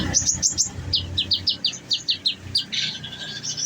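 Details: Olive-backed sunbird in a cage, fed nectar, firing a fast series of high, clipped chirps, about four per second, then a brief buzzy note, over faint low hum.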